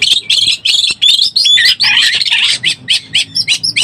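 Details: Oriental magpie-robin in breeding condition, used as a lure: loud, fast rich phrases of whistles and scratchy notes, then short bursts repeated about twice a second.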